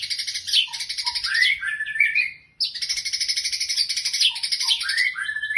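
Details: White-rumped shama singing a buzzy, rapidly pulsed high phrase followed by rising slurred whistles, repeated twice after a brief pause, clean background.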